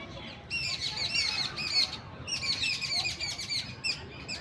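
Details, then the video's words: Indian birds calling within a busy urban setting; dense, sharp high-pitched chirps and twitters in two long bursts, steady low traffic-like murmur behind. "Real Bird Chirping Sound in City Life"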